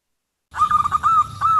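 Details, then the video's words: Female zebra dove call aimed at the male, used to lure wild doves: a brief run of quick tonal notes sliding into two longer, arched, sustained tones, over low background rumble. "Pancingan perkutut betina memanggil jantan"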